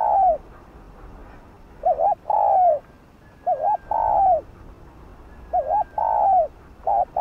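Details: Spotted dove 'thúc, gù' calls used to provoke decoy birds: about four phrases roughly two seconds apart, each a short wavering double note followed by a long descending coo, with another phrase just starting.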